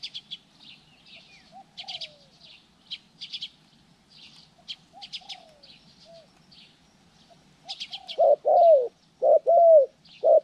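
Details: Spotted dove during trapping-lure training, recorded January 14, 2020; soft scattered coos early, then two loud husky rolling coo phrases near the end, with thin high chirps and twitters of small birds throughout.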